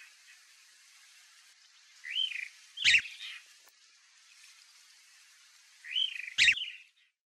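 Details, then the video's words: A chalk-browed mockingbird (Mimus saturninus) gives two short phrases about four seconds apart, each a rising-falling whistled note ending in a sharp, harsh burst, over faint background hiss. "CHALK-BROWED MOCKINGBIRD sounds"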